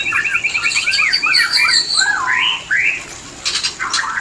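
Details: White-rumped shama giving its mating call, meant to bring birds into breeding condition: a fast stuttering trill, then looping whistled phrases, ending in scattered sharp clicks and chatter.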